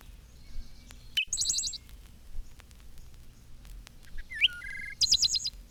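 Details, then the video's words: Wood Thrush singing in spring from woodland: two unhurried, measured flute-like phrases, each a clear low note followed by a shimmering high trill, with soft background hiss. "It is a wood thrush, and it sings in measured phrases,"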